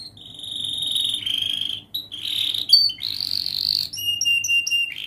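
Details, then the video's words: Canary song meant for teaching young canaries: long sustained high trilled and buzzy tones changing pitch every second or so, ending in short repeated whistled notes, with a faint steady low hum. "Masteran Kenari gacor Muda belajar NATA LAGU, paling Pandai utk pancingan kenari paud belajar bunyi"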